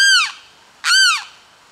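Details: Noisy limpkins: two loud, harsh, wailing screams about 0.8 seconds apart. Each one arches up and then falls away, rich and ringing, against a quiet background.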